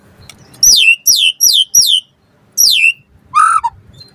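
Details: White-rumped shama in full energetic song, used as a lure to prompt other shamas to answer: four loud, high whistled notes sliding steeply downward, a pause, a fifth such note, then a lower harsher rasping phrase and a faint closing note.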